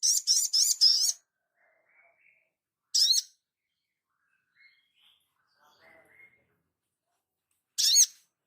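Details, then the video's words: Crimson sunbird training master: a run of four quick, high, wavering notes, then a single similar burst three seconds later and another near the end, with soft faint twitters in the gaps. "Dasyatnya MASTERAN INI ‼️SOGON LANGSUNG NGLEPER ‼️"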